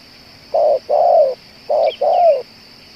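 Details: Spotted dove said to coo for two hours and be suitable as a decoy; two pairs of low coos, each a short note then a longer slurred one dropping at the end, a faint high chirp between.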